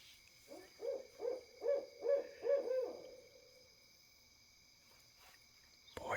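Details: An owl calls at night from darkness among trees near a neighbour's light: a quick, loud, echoing run of six deep, rounded hoots, about two per second, over a steady high insect-like hum, with a brief rustle at the end.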